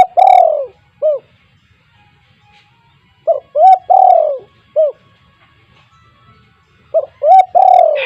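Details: Spotted dove in loud, vigorous voice, recorded as a lure for other doves: rhythmic cooing phrases of short rising notes, then a longer drawn coo and a final clipped note, repeated about every three and a half seconds.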